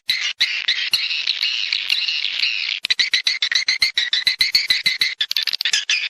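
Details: Swiftlet lure recording: a long continuous buzzy twitter for nearly three seconds, then a fast stream of separate high chirps, used to draw birds to nest in a swiftlet house.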